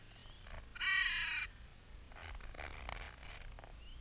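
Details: A crow in Clara Park in spring, one of several present, played in mild slow motion: a single loud, harsh, slightly rising caw lasting over half a second, followed by soft scraping and rustling.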